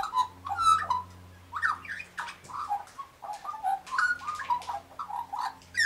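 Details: Australian magpie warbling close to galahs, a busy stream of flute-like, gurgling notes and quick slurs over a steady low mechanical hum.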